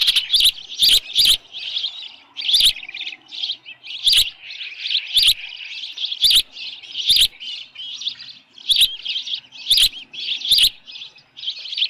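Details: High-pitched osprey chirping at the Dunrovin Ranch nest, 10 June 2018 at 6:41 PM, a headless fish delivered: repeated short call bursts over twelve seconds, punctuated by regular sharp clicks.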